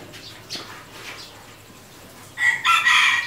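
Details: A red junglefowl rooster gives a single loud, ragged crow near the end, after a quiet stretch with faint, scattered high chirps from other birds.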